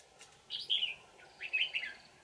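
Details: Wild old red-whiskered bulbul with a ringing, twisting voice, caught with a decoy on 20 December 2018: two short warbled phrases of slurred whistled notes over a steady low hum.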